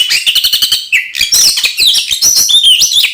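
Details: Oriental magpie-robin (kacer) singing aggressively to provoke other magpie-robins: a run of rapid repeated chirps, then busy scratchy warbles and rising whistled notes.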